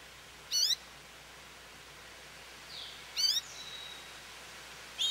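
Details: Calls of an American goldfinch near a feeder, given for attention and in flight: three bright, high zigzag bursts, each under half a second and spaced two to three seconds apart, with a faint softer note between them and quiet hiss behind.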